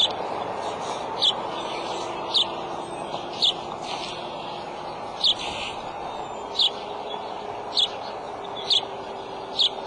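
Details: Adult male bald eagle calling at the nest with eggs, March 23 at 2:26 pm: short, high, squeaky pips repeated about once a second over steady low background noise.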